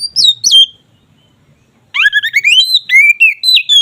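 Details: Ngeplong-style kacer (oriental magpie-robin) song for boosting mating drive: two high slurred whistles, then after a silent gap a rapid, varied stream of rising and falling whistled notes.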